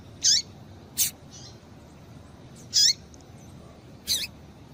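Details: Female double-collared seedeater calling to stimulate males to sing: four short, high, bright chirps, each sliding downward, spaced about one to one and a half seconds apart over faint background hiss.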